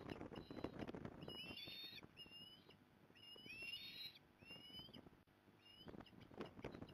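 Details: Osprey at a Port Lincoln, Australia nest on 15 November 2020, mother coming to help; a rapid series of rising whistled cheeps over heavy rustling and thumping nest noise.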